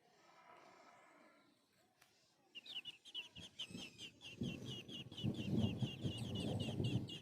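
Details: Nestling birds being fed by their mother beg with rapid, high, squeaky chirps repeated several times a second over low rustling.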